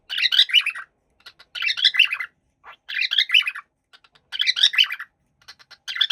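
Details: A happy cockatiel chatters in bright, warbling bursts of chirps, each under a second long and repeated about every second and a half, with no other sounds.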